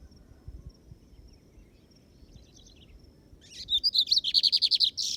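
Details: Lined Seedeater (bigodinho) on a field outing (campiada): after a quiet stretch with faint distant notes, a loud series of about twelve fast, regular chirping notes, closing with a short buzzy phrase.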